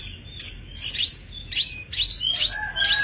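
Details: Sogon, a tame caged songbird in full song, giving bright rising whistled notes high in pitch, repeated about twice a second, with some lower sustained whistles toward the end.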